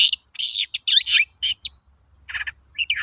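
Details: Long-tailed shrike lure song for training birds: dense harsh scratchy phrases and slurred squeals, then a short pause and quieter buzzy chatter.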